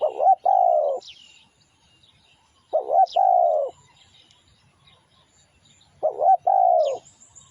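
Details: Cooing of a spotted dove played as a lure to draw wild doves: three hoarse two-part phrases about every three seconds, each a brief rolling note then a drawn-out falling coo. Faint high chirps sound between them.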